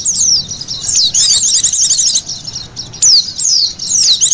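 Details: Lure call for white-eyes: high, slurred whistles and a burst of rapid buzzy chirps, a short lull, then more loud descending notes.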